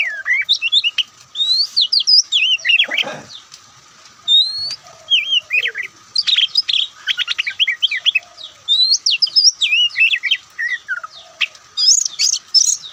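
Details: Kacer poci, the white-breasted Oriental magpie-robin, pouring out a long varied song: bursts of sharp clicks and chips alternating with rising and falling whistles, one brief low rustle midway.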